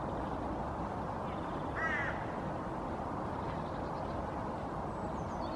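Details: Hooded Crow female on the nest, vocalizing repeatedly as part of a soft nest song: a single brief, nasal, layered call in the middle, surrounded by steady low background noise and faint distant bird notes.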